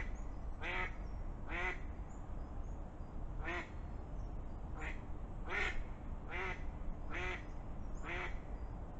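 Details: Mallard (Anas platyrhynchos) by a river in Galicia gives alarm calls, about eight harsh nasal quacks roughly one a second over rushing water, after a goshawk flies across and a fox runs toward the spot; splashes follow.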